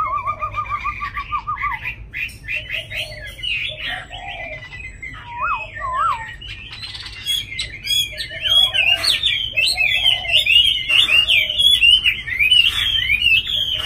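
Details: Tamed Chinese hwamei kept in a cage in Hanoi, Vietnam, in full song. It opens with a rapid wavering whistled trill, then gives looping slurred whistles and a long stretch of fast, chattering, richly varied phrases over a faint low hum.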